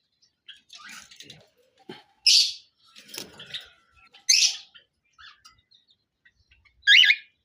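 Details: A pair of cockatiels (Nymphicus hollandicus) at an exhibition give loud, bright chirps in short bursts, with softer chattering and a background murmur between them.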